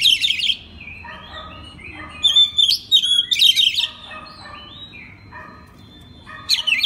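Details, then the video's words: Oriental magpie-robin master song meant to prompt other magpie-robins to sing day and night: loud bursts of shrill chirps alternating with lower, steady whistled phrases repeated about once a second. "pagi siang malam kacer lain ikut gacor. isian master kacer. suara kacer"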